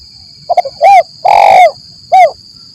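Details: Spotted dove lure call, 'Kuk 1 Mersik' style, for attracting doves in forest: a rapid low triple stutter, then a short coo, a long loud coo and a final short coo, over a steady thin high whine.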